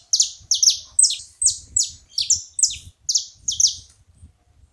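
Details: A group of saffron finches calling together: steady series of bright, high chirps sweeping downward, often in overlapping pairs, about three per second, with faint low thumps beneath.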